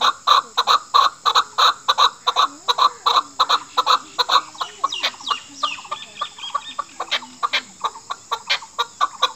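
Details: Chukar partridge calling, a hunting sound for drawing a female, national bird of Pakistan: long run of loud clucking chuk notes in quick succession, later joined by fainter squeaky rising whistles and a low hum beneath.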